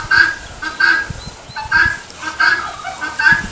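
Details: Helmeted guineafowl (Numida meleagris) giving harsh, grating calls, about five bursts in under four seconds at an uneven pace, with a background murmur.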